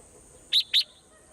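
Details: Swallow calling in the morning: two short, bright, high chirps about a quarter second apart, then quiet, with a faint steady high hiss in the background.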